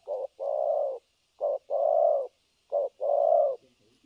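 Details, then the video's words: Spotted dove decoy bird used for trapping, a new decoy being tested, cooing non-stop in the thổ cấn sấm nước style, 3/12/2022: three low, hollow phrases, each a short note then a longer drawn coo, about every 1.3 seconds, over faint steady hiss. "Thổ cấn Sấm nước gù liền"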